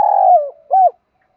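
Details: Decoy spotted dove cooing to attract wild birds: a long, steady, husky coo sliding down at its close, then one short, arched hoot, with silence after.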